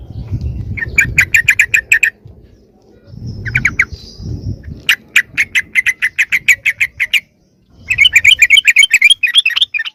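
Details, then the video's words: Lure call of sooty-headed bulbul to draw wild birds near: long runs of evenly spaced sharp chips, about four per second, broken by pauses, ending in a fast warbling chatter, with low rumble in the background. "SUARA PIKAT BURUNG TRUCUKAN YANG LAIN AUTO MENDEKAT"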